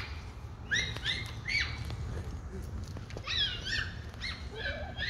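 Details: Domestic hens hanging out together; a string of short, high chirps, each rising then falling, often in quick pairs, spread through the clip with softer lower notes near the end over a low background rumble.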